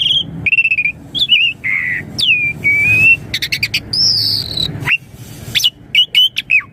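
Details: Asian pied starling lure song for young birds, made of varied whistles: short slurred notes, a level drawn-out whistle, harsh buzzy bursts, a long high whistle and quick upward-flicking chirps near the end.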